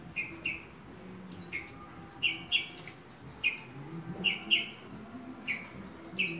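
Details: Horsfield's bush lark kept as a hobby bird, uttering thin, high whistled notes in short pairs and singles, spaced irregularly with brief pauses, over a faint low hum.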